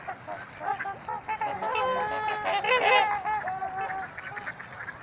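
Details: Trumpeter swans calling at Gallup Park in Ann Arbor, Michigan: a dense chorus of overlapping nasal, horn-like honks from several birds, swelling to a loud burst of harmonic-rich calls mid-way, then trailing off into scattered honks.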